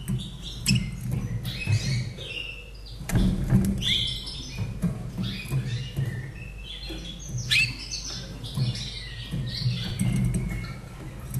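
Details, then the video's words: Captive Slavujar bird from Austria, hatched 2011, singing a continuous stream of rapid chirps, sweeps and twittering notes, with short bursts of crackling clicks and a steady low hum underneath. "Mein Slavujar Singt ein kleines Lied"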